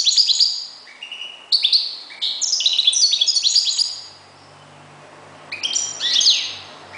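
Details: European goldfinch kept as a call bird (reclamo), delivering rapid liquid twitters and buzzy trills in two long phrases separated by a brief pause, then a short closing burst. A faint low hum sits underneath.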